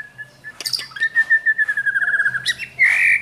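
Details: Trained white-rumped shama holds a long, steady whistle that breaks into a fast stuttering trill, then ends with a sudden harsh, buzzy note.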